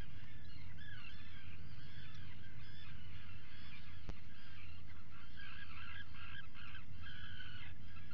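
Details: Atlantic puffins at breakfast in the burrow, camera recording from 04:58 on 28 June 2019; continuous low-volume harmonic calling swells into stronger repeated notes near the end, one sharp click mid-way, steady hum beneath.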